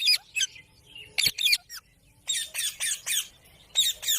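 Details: Ringneck parrots, shown dancing, give bursts of short, harsh, high squawks in quick, uneven clusters. Brief pauses separate groups of two to five rasping notes.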